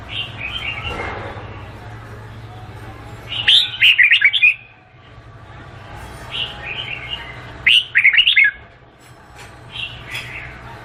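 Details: Vietnamese red-whiskered bulbul repeats its melodious song several times, roughly every four seconds. Each phrase is a tumbling series of sweet, chirpy whistles, some louder and fuller than others.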